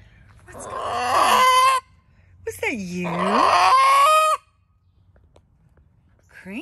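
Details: Homestead hen in New England crowing on a July morning: two hoarse crows of about one and a half seconds each, the second with a dipping start, then a brief start of another call.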